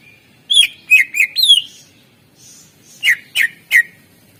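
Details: Cucak ijo, the greater green leafbird, giving 'isian' filled song for training reluctant singers: a run of slurred, ringing whistles with high overtones, then a short gap and three crisp, evenly spaced chirps.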